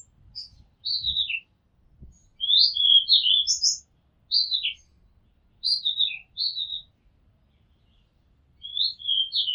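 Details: Rooftop recording in Thailand of an Oriental magpie-robin singing a series of short whistled phrases, sweet slurred notes often falling in pitch, repeated every second or two, with faint low knocks in the background.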